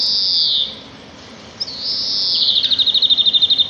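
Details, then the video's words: Sparrow singing in nature: a long high thin whistle sliding slightly downward, a pause, then another whistle that breaks into a fast, even trill of about a dozen rapid notes, with faint background hiss. "صوت العصافير في الطبيعة"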